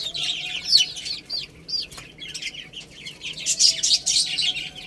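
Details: Baby chickens playing and eating, giving a dense chorus of high, rapid peeping chirps, many overlapping downslurred notes, with soft pecking and scratching clicks and a faint steady hum underneath.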